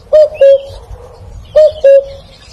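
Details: Cuckoo calling: a clear two-note "cu-coo", the second note slightly lower and longer, given twice about 1.5 seconds apart against a quiet, low background rumble.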